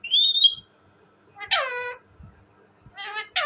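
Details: Talking parrot kept as a pet bird: a high whistled note wavering slightly, then after a pause a harsh harmonic squawk falling at its end, and a few short nasal calls near the close.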